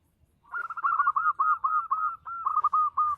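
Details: Zebra dove, a local perkutut in full voice, delivers one long, loud rolling phrase of about a dozen quick, even coo notes, briefly broken near the end, with almost no background noise.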